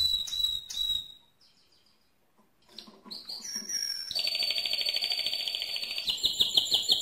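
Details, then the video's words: A few sharp notes from a mosaic canary, a near-silent gap, then scattered phrases that build into a loud, rapid, high rolling trill lasting several seconds. "le Chant le plus fort de canari mosaïque"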